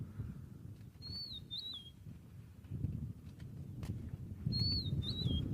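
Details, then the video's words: Rufous-naped lark, recorded 30 January 2023, giving two clean whistled phrases, each a slurred falling note pair, about three seconds apart over a low, windy rumble. "Okay, well, I figured it out. It is the rufous-naped lark that is calling."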